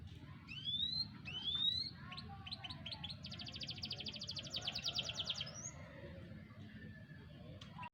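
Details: Young canary of four to five months in song, 28 July 2020: two rising whistled slurs, then a series of short chips leading into a long fast buzzy trill lasting about two seconds, over constant low hum.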